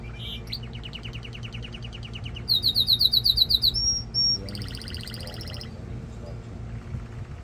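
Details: Male canary song to excite the female for breeding and to train fledglings: an even trill, a loud fast series of bright high notes, a held whistle, then a buzzy rattling roll fading out.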